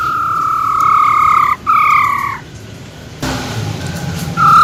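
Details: Wild-voiced female silver-eared laughingthrush singing to excite males: two long, flat, pure whistles, each over a second, a brief gap between them, then quieter rustling and a short whistle at the end.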